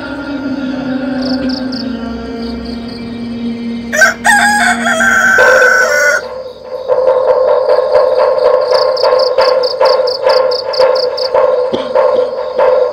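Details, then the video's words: At dawn, a rooster gives one loud, strained crow lasting about two seconds against the sustained, melodic chanted Subuh (dawn) call to prayer that carries on throughout. "suara kokok ayam BERPADU dengan adzan shubuh merdu"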